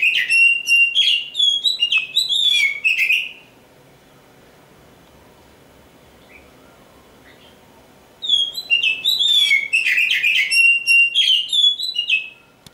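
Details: Black oriental magpie-robin (kacer hitam), a kept bird hailed as a future champion, delivering two bursts of rich, rapid whistled song with slurred notes, trills and chattery phrases, separated by about five seconds of near silence.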